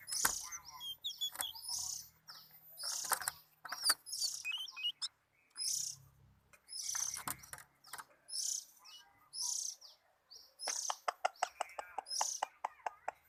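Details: Oriental magpie-robin, described as relaxed and enjoying itself, singing bright, high, varied phrases in half-second bursts separated by short pauses, ending with a run of rapid sharp clicking notes.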